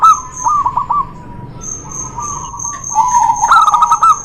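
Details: Dueling local and white zebra doves, used to stimulate doves reluctant to sing: short bubbling coos, a long wavering held note, then a louder clicking, trilled phrase, with a steady shrill whine in the background.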